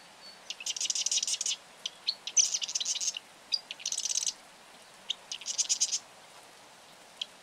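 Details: Repeated high, dry rattles from a Marsh wren, each bout about half a second long and separated by brief ticking notes, in a quiet setting.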